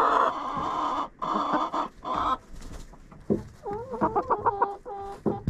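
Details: Chickens hanging out in a coop, captured by a camera set inside: a run of loud, raspy clucking bursts, then quicker, choppier bubbling clucks with wavering pitch, several birds close to the microphone.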